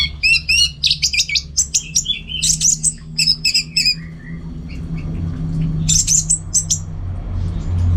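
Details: Orange-headed thrush kept at home pours out a fast series of rhythmic, repeated squeaky notes in tight bursts for about four seconds, then a brief high flurry, over low hum.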